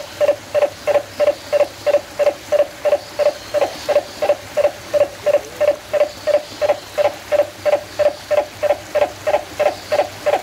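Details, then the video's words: Captive turaco at San Diego Zoo Safari Park, recorded 10 November 2020, giving a steady series of short hoarse croaking pulses, about three per second, evenly spaced for the full ten seconds over a low background hum. "Call of the Turaco"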